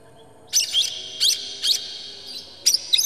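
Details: Oriental magpie-robin, a provoking bird singing with emotion and tail spread, used to stir other magpie-robins into song: a few short, sharp, high whistled bursts separated by pauses, over a quiet background.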